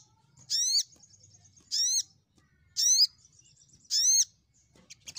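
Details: Crimson sunbird singing to call rivals, 'gacor nembak' style: four loud arched, ringing high notes, each about a quarter second long, spaced roughly every 1.1 seconds over faint twitters.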